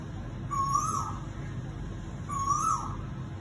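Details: A koel in summer gives two clear, rising whistled calls about two seconds apart, each swelling then dropping at the end, over a low background rumble.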